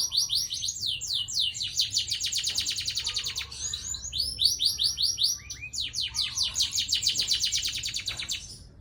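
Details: Long rolled canary song with dense high trills in back-to-back bursts, varying speed and pitch, interspersed with short low whistles, fading out at the end.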